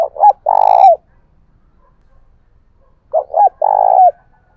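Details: Loud spotted dove decoy, 'thổ bầu' voice style, calling to draw rivals into a fight. Two strong phrases of paired short coos and one long throaty note, separated by about two seconds of quiet.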